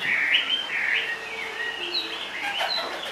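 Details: Short stretch of song from a caged Chinese hwamei perched low on its bar: slurred whistles rising and then dipping, fading into quieter warbled notes.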